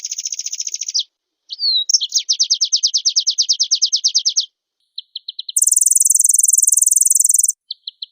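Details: Oriental white-eye giving a lively song full of mimicked phrases, drawing a reply from another bird: high rapid trills broken by short pauses and scattered ticks, then a loud, piercing, continuous high buzz.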